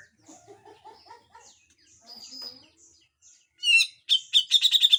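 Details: Grey-cheeked bulbul in a masteran tutor recording of harsh full song with besetan. Soft scattered chirps and short warbled notes give way to a loud burst of harsh, rasping, stacked notes repeated rapidly at the end.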